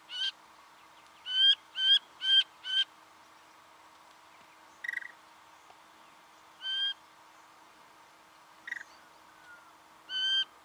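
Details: Singing honeyeater recorded in Victoria, Australia, in November 2011: harmonic, slightly rising nasal notes repeated in a quick run of four, then spaced singles, with a few short sharp chips between.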